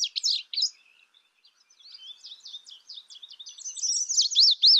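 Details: Indigo bunting opens with a loud burst of high slurred notes, falls to a quieter jumble of thin chirps, then finishes with a rapid, loud series of high zigzag notes.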